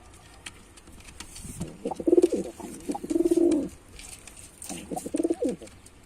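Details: After a quiet start, a male white pigeon delivers two throaty coo phrases in quick succession, then a shorter third coo, each vibrating low and rolling.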